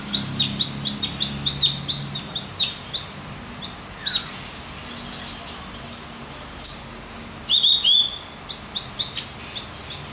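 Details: Javan grey-throated white-eye audio used to stimulate other birds: a long series of short, high chirps repeated about four per second, broken by a few louder, sharper twittering bursts later on.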